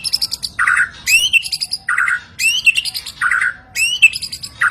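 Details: White-rumped shama song played to stir caged birds into responding: harsh squawking bursts alternating with upswept whistled notes and low buzzy phrases, repeated roughly every second, loud and clear against a faint background rumble.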